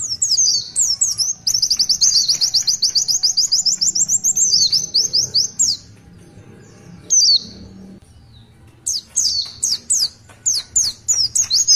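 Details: Oriental white-eye (Zosterops palpebrosus) pouring out a long, very high, rapid twittering song of slurred notes, broken by a brief pause, then resuming in quick chirpy bursts.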